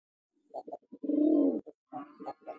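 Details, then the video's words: A male Maxi Jalali domestic pigeon, one of a bonded breeding pair, gives a few short throaty grunts, then a drawn-out, low, rolling coo of about half a second, followed by more brief guttural coos. "মাকসি জালালি সেটটির ডাক দেখুন।"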